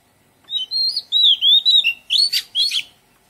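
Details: Melodious song of an Oriental magpie-robin in a garden, a string of sweet whistled notes rising and falling over about three seconds, ending in rougher, scratchy twitters; no other sounds.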